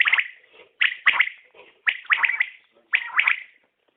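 A common quail gives sharp, liquid notes in quick clusters of two or three, repeating roughly every second against a quiet background.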